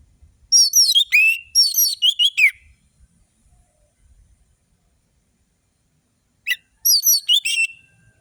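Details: Orange-headed thrush song used to coax passive birds into singing: two dense phrases of sharp, slurred whistles and quick descending notes, then silence, then a final rapid whistled burst; fast, varied tempo.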